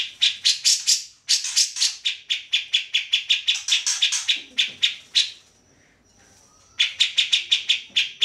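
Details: Grey-cheeked bulbul singing vigorously for tutoring songbirds such as white-rumped shama: long runs of rasping chatter repeated rapidly, a pause of over a second with a faint high whistle, then the chattering starts again.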